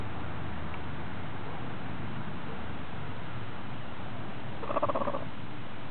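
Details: Hens purring while enjoying a dustbath: a soft, low, continuous purring rumble, broken near the end by one brief, higher, tonal note.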